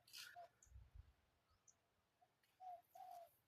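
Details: Spotted dove in Thailand, a wild bird and a caged decoy bird answering each other during decoy trapping; two drawn-out low mellow coo notes close together near the end, after a brief burst of rustling noise at the start.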